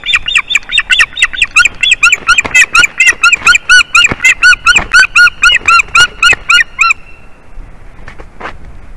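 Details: White-tailed eagles at their nest in Durbe, Latvia, on a live nest camera, 4 March 2023 at 10:55 in the morning, as fish is brought to the mate; a fast series of about fourteen sharp, yelping calls, then quiet.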